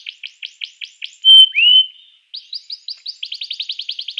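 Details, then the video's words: Canary song for stimulating other canaries: evenly spaced short notes, a very loud pure whistle and a sliding note, a brief gap, then an accelerating series of crisp chirps. "suara kenari ini 99% jitu sekali membuat kenari lawan gacor"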